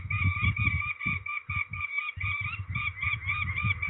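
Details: Harsh, rapidly repeated grating notes from peregrine falcons during ringing at Trzebież, Poland, 13 May 2019, broken by a short gap, with loud low thumps and rustles throughout.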